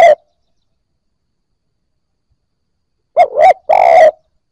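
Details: Newly captured spotted dove starting to coo, played to stimulate fresh-caught birds: the tail of one phrase, then a full coo of two quick rising notes and a drawn-out harsh croo.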